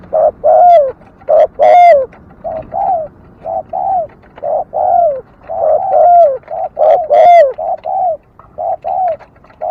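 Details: Dove calling loudly and rapidly, a dense run of short, hollow, rounded coos about once a second, some clipped and doubled, with occasional sharper clicks between notes.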